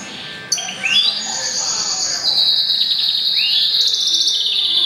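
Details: Goldfinch × canary mule hatched April 2011, singing actively: long sustained high whistled notes with rising slurred starts, shifting pitch between held tones and short buzzy trill passages, loud and clear indoors.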